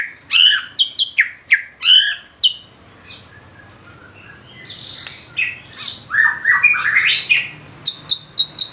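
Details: Loud, varied song of a gacor white-rumped shama performing its trained fill: clusters of sharp high notes, then swooping whistles and rapid chattering phrases, with short pauses between bursts.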